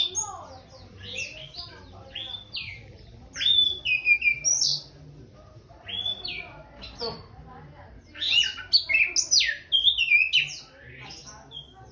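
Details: After bathing, an orange-headed thrush pours out bursts of bright whistled notes and quick twittering phrases, with short quiet gaps between the louder clusters.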